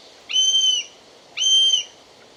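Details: Buzzard calling in its natural habitat: two drawn-out, level, harmonic whistled calls, each about half a second long, over a steady low background hiss.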